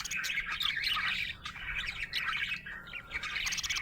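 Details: Happy budgie producing loud, scratchy warbled chatter with squeaky chirps and rising and falling notes, one short pause partway through.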